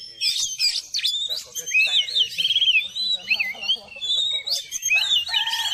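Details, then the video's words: Oriental magpie-robin in captivity pouring out a continuous, busy song of warbled whistles, scratchy notes and rapid trills, with faint low background noise. "TERAPI KACER CEPAT NAIK EMOSI"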